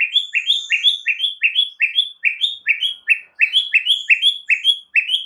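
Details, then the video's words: White-rumped shama song played as a lure for other birds: a fast steady stream of bright rising chirps, about four per second, continuing throughout with short gaps. "PANCINGAN MURAI FULL ISIAN"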